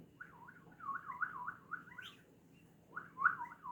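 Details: Hand-tame white-eared bulbul acting affectionate toward a relative of its owner, singing soft warbled phrases of rolling, wavering notes that rise and fall, with a brief pause before a second phrase; quiet indoor hum behind.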